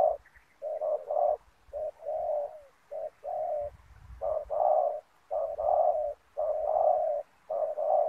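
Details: Spotted dove kept as a lure for wild doves in ground trapping with snare nets, cooing in grouped hoarse notes, short then drawn-out, separated by brief pauses, with faint rumbling below.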